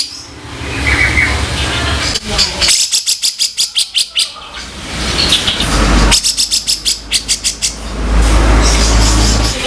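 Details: Rough kasaran tutor vocal of a grey-cheeked bulbul: two short bursts of quick raspy chattering notes separated by stretches of rumbling traffic-like noise and faint distant chirps.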